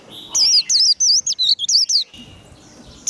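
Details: Warbling white-eye líu fighting song: a tight string of around ten high, looping, wavering whistles lasting under two seconds, followed by quieter background chirps and one more note at the very end.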